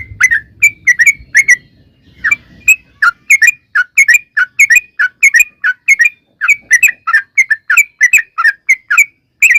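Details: Loud yellow-vented bulbul song in the 'ngalas ropel panjang' style, a lure for making bulbuls sing: after a hesitant start, quick whistled note pairs and triplets pour out in a steady run, with faint low background noise early on.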